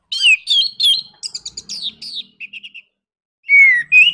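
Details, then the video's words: Orange-headed thrush giving 'nraktak konslet' provoking song. Loud slurred whistles lead into a quick stuttering trill, then a pause and two strong descending whistles. "PANCINGAN NRAKTAK KONSLET ANIS MERAH BIKIN GACOR ATASI SUSAH BUNYI"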